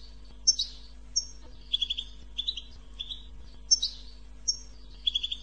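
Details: Stimulating 'bitbita' song of a goldfinch: crisp high chirps alternate with lower, rapid triple-note trills, repeated in short phrases through the clip, with a quiet mechanical hum beneath.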